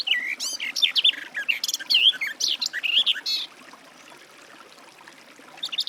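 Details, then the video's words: Garden warbler singing at a forest edge: a rapid, bubbling warble of looping, mellow notes lasting about three and a half seconds, followed by quiet, with another short burst starting near the end. "Warbler garden, birdsong"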